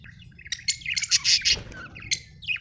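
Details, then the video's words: Budgie chirping: bright, scratchy high warbles and short tweets in quick bursts, with a louder buzzy cluster near the middle and a low steady hum beneath. "Australian beautiful birds sound 😍 budgie chirping sound"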